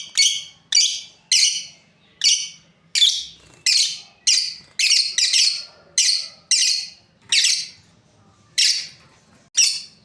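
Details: Breeding pair of caged lovebirds giving loud, harsh, high chirps in rapid bursts, roughly two per second, with brief pauses between runs.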